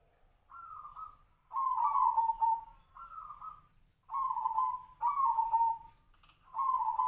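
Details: Singing perkutut, a zebra dove of the Tejoanom type said to sound like the sirtu-sirpo bird: repeated pairs of short coo notes, each pair a higher note followed by a lower rolling one, in a steady rhythm.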